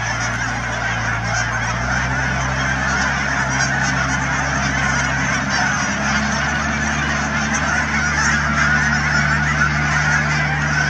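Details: Thousands of Canada geese at Cheam Wetlands near Chilliwack, BC, call together in a continuous roar of honks. Low steady humming tones sit beneath the flock.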